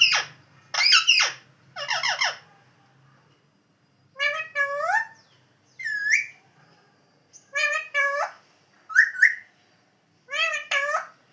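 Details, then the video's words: Indoor pet parrot uttering repeated speech-like squawks and bent whistled syllables in short bursts, with a faint low hum beneath in the first seconds. "Super Cute Funny Parrot Original Sound"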